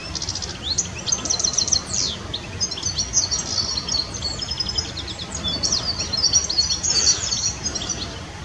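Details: European goldfinch singing, an Iberian Peninsula bird: a long, busy run of fast twittering, tinkling notes and quick buzzy trills, high-pitched and nearly continuous across the whole stretch, over a steady low background hiss.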